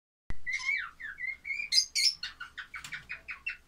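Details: Baby lovebirds calling: a burst of squeaky chirps and short whistles, followed by a steady series of rasping begging-like notes repeated about three times per second.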